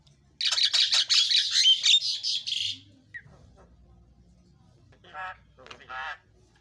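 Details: Javan myna (jalak kebo) isian filler song, used as a lure to set birds singing: a dense two-second burst of harsh, hissy chatter, then a pause and two short raspy buzzy phrases.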